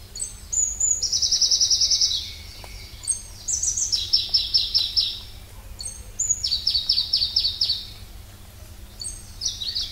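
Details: Pallas's leaf warbler (Phylloscopus proregulus) singing: each phrase opens with very high, thin notes, then drops into a fast, even rattling trill. Phrases last about two seconds and come roughly every three seconds, over a faint steady low hum.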